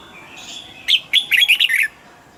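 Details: Red-whiskered bulbul, caged, sings one brisk phrase of about six warbled whistles, bright and slightly buzzy, rising and falling quickly over about a second. The background is quiet.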